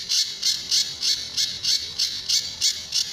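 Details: Sunda bush warbler, a master recording for tutoring other birds, tembakan and besetan style song: a rapid, even run of raspy high notes, about three per second, eleven in all.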